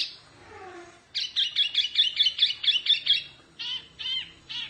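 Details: Wambi mini Oriental white-eye in fierce tutor song: after a soft opening note, a rapid even run of about nine high clipped chirps, then three slower buzzy notes, over faint background rustle.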